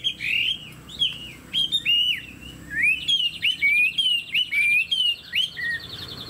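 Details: Fan-tailed Chinese hwamei of tall build singing varied whistles: swooping slurred notes, then a rapid trilled stretch and a final drawn-out lower whistle.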